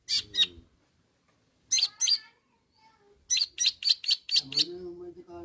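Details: A long-tailed shrike calls out to rivals with clusters of harsh, scratchy chips separated by silences, ending in a quick volley of about six notes and a drawn nasal tone.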